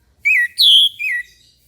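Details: Orange-headed thrush singing in the morning, a clear whistled phrase of three notes: a short slurred note, a loud rising-falling whistle, then a softer descending whistle, with no other sounds.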